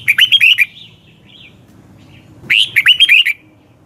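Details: Red-whiskered bulbul morning training song: two bursts of fast, liquid whistled notes with slurred upward and downward inflections, a soft trailing warble between them.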